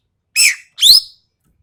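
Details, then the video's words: Common green magpie of Sumatra, voice called sharp and harsh, on a tutor recording: one broad rasping note sliding down, then a piercing upward-slurred squeal, in silence. "MASTERAN BURUNG EKEK KELING SUMATERA SUARA TAJAM DAN KASAR"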